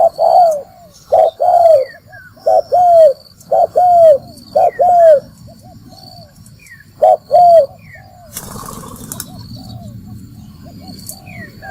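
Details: Spotted dove calling as a lure for trapping: a run of low, rounded coo phrases, short note then longer falling note, for about eight seconds, followed by a burst of rustling noise and quieter background.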